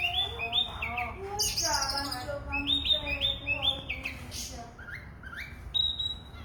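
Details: Kacer, the oriental magpie-robin, in full song: clear whistled notes, rippling slurred runs and repeated paired chirps, with lower rich tones beneath, delivered rapidly and close.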